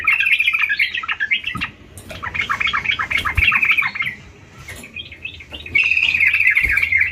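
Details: Trucukan, or sooty-headed bulbul, singing in lively bursts of rapid, swooping chirps and buzzy trills, with short quieter gaps and a few soft knocks between phrases.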